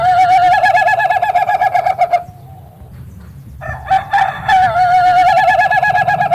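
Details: Crow of an Ayam Ketawa chicken: a long, wavering, quickly pulsed laughing call, a brief quiet gap, then another run of rapid choppy syllables that settles into a held, trilling note.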